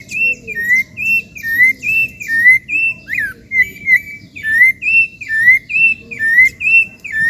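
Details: A wild Rufous-bellied thrush (Turdus rufiventris) singing freely in its natural habitat in Brazil gives clear, slurred whistles, about two a second, alternating slightly higher and lower notes over a soft low rumble.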